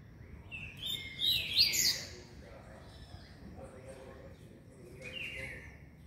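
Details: Double-collared seedeater, a young bird aged five months and twenty days, gives a quick burst of high, sweeping, twittered notes lasting about a second, followed later by a few softer short phrases over a low background murmur.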